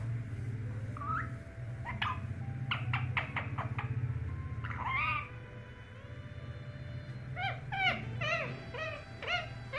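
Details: Young pet Indian ringneck parakeet indoors, practising talking and saying a word when it hears a door knock: short harmonic squawks and chattering phrases, some rising and wavering, over a steady low hum.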